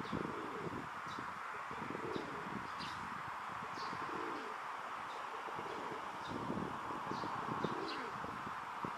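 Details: Rock doves in a park, a male puffing out his throat while courting a female: low, rolling coos repeated through the recording over steady broadband background noise, with scattered faint high chirps.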